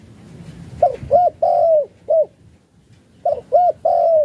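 A spotted dove gives two soft, low coo phrases, each two short notes then a longer drawn-out coo, separated by a brief pause; faint low background hum.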